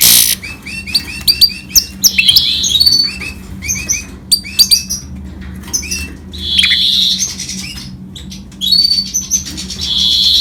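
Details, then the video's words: Hybrid goldfinch × canary singing in a quieter, broken pattern of short twittered phrases and buzzy high notes separated by brief pauses. "Гибрид щегла с канарейкой/ سایره کنری/ hybrid of goldfinch and canary"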